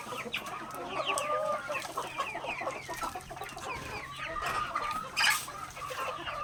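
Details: Healthy native chickens feeding on grain in a backyard make a busy chorus of short clucks and thin, slightly rising chirps. A brief sharp noise cuts through near the end.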